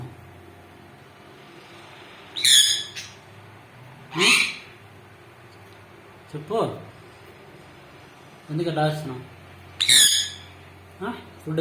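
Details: A sun conure gives loud, harsh, rasping squawks in short bursts, calling as if asking for something, perhaps food or to be let down.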